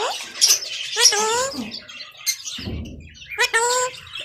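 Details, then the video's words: Pet talking parrot, kept at home, producing speech-like harmonic syllables in quick bursts near the start and end, with a short low rustling noise in the middle. "My talking Parrot"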